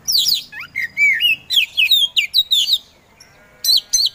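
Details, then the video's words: Kacer poci Oriental magpie-robin singing in 'gacor' style, meant to provoke sluggish birds into song: rapid varied whistles, rising slurs and sharp chirps in a fast run, a brief pause, then two more bright notes. "KACER POCI GACOR SANG PROVOKATOR || LELET SUSAH BUNYI SEKIAN DETIK LANGSUNG GACOR AWOR AWOR"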